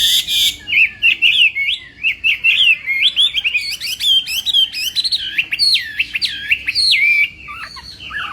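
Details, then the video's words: Chinese hwamei in morning voice training for singing contests, pouring out quick varied whistles and zigzag trills in a long continuous phrase, with a short noise burst at the start. "Hoạ Mi Hót Đấu /hoạ mi hót sáng luyện giọng"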